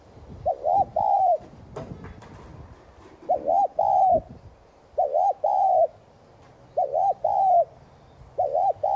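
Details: Spotted dove repeatedly cooing, used to get other doves cooing: five phrases at steady intervals of about one and a half seconds, each a clipped double note plus a longer mellow coo, with knocking and handling noises early.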